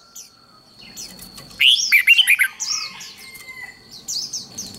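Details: Red-whiskered bulbul contest-style song for competition training. One loud, quick phrase of slurred, warbling whistles rises from a quiet background of faint high twitters and a thin steady tone. Softer chirping from other birds follows.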